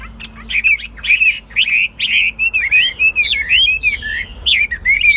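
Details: A caged Chinese hwamei singing steadily: bright wavering whistles and slurred glides run into one another, mixed with rough scratchy notes, forming a fast unbroken warble; a low steady hum underneath.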